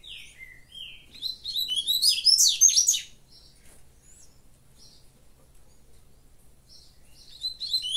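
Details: Caged double-collared seedeater singing while its cage is held in the hand: a fast, varied burst of high twittering and buzzy notes that peaks in the middle, then fades to silence before a brief new twitter at the end.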